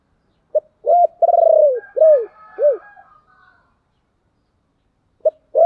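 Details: Spotted dove cooing, played to make wild doves coo back: a clean phrase of about five low, rounded coo notes, one drawn out and wavering. Silence follows, then the first notes of a new phrase begin.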